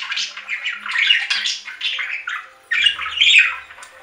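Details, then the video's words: Budgerigar squawking and chirping in rolling scratchy phrases, growing louder in the final second with a squeaky burst. "3 Hour Budgie Sounds for Lonely Budgies"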